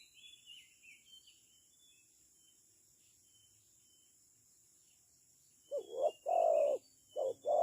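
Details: Spotted dove used as a decoy bird for trapping. After a quiet stretch with faint thin high chirps from other birds, it gives three loud, low, hollow coo notes in quick succession near the end.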